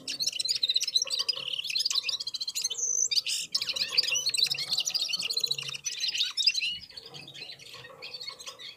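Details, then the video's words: Red-fronted serins and other birds sing in unison while warming up. High, jangling twitters and chirps pour out nonstop, with a brief sharper whistle near the middle and a faint low murmur beneath. "Попели поели и опять попели в Унисон Красношапочные вьюрки"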